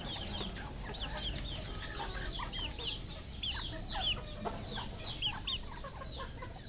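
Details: Red junglefowl flock on a Cambodian farm: scattered high, hooked peeps and chirps from many birds, fairly quiet, over a continuous low rumble.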